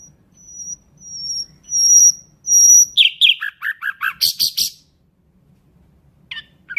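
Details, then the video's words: Common nightingale sings a phrase opening with four high, pure, swelling whistles, then fast descending chirps and a loud rattling burst, followed by a brief note. "Nightingale bird singing"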